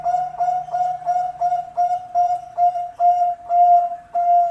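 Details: Bangkok-type zebra dove (perkutut bangkok) singing a clear, even series of mellow, hollow cooing notes at one steady pitch, about eight short rhythmic bursts with slight pauses; clean recording without other sounds.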